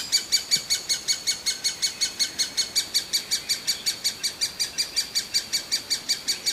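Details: Hungry young great spotted woodpecker begging insistently: clipped, high, squeaky notes repeated very regularly, close to three each second, with no other sounds.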